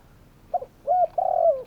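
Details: Calling spotted dove giving a brief stuttered note, then a hollow coo and a long, slightly wavering coo that falls at the end; little else audible.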